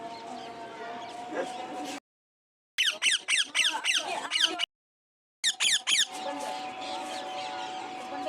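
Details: Parrot screeching in rapid series, about a dozen harsh, falling, buzzy notes across two bouts separated by silence, set against a steady humming background.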